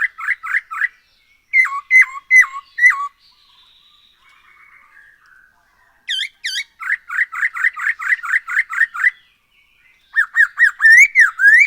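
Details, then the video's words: Lively black-throated laughingthrush song meant to coax birds into singing: quick bursts of repeated slurred notes, a set of four dropping whistles, a soft gap, then longer rapid runs and a closing warbled phrase. "Poksay HONGKONG GACOR SETIAP HARI ‼️Dengan Pancingan ini Bikin Burung Tambah gacor"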